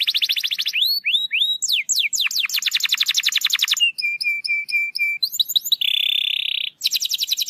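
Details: Canary singing to coax a lazy canary into song, moving quickly through varied tours: rapid trills, rising whistled slurs, a steady row of short clipped notes and a sustained buzzy rattle.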